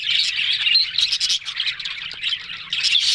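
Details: Budgerigars, talking, October 1: quick repeated chirps and warbled squeaks in a dense, irregular chatter, slightly softer in the middle before swelling again.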